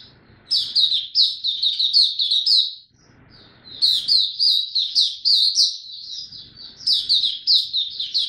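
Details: A young white-eye kept in a cage practises its developing song, recorded 9 February 2022: two bursts of fast, high-pitched warbling twitter separated by a short pause, with faint room noise between phrases.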